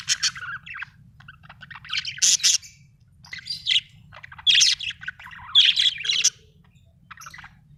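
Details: Budgie chatter in short scratchy bursts with harsh squawky notes and quick chirps, separated by brief quiet gaps, over a faint low hum.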